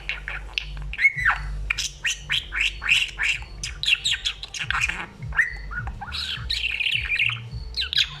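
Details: Pet budgerigar chattering and talking away happily. It gives a continuous, varied warble of rapid squeaks, swoops and scratchy notes over a low background hum.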